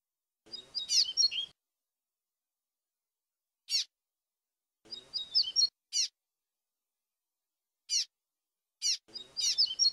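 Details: Flautado-style song of a double-collared seedeater, meant for training young birds, cleaned of noise: brief whistled warbles about every four seconds, each followed by a single sharp descending high note.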